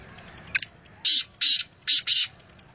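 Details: Black francolin (kala teetar) calling close by: one short, sharp opening note, then two pairs of loud, harsh, grating bursts, the whole phrase lasting under two seconds against a quiet background.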